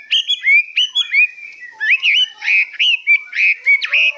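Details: Hwamei kept in a cage, described as singing high and long: a string of clear, rising and falling whistles in short bursts, each phrase looping upward, separated by brief gaps.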